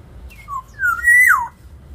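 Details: Black-naped oriole in full song used as a lure for training other birds, giving two brief clear notes followed by a rich, mellow whistle that climbs and then drops sharply, with faint low background hum.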